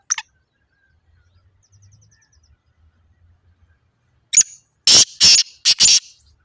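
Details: Black francolin (Francolinus francolinus) giving a loud, harsh, grating phrase: a sharp opening note, then three rasping shrieks in quick succession; faint high twittering earlier in a quiet background.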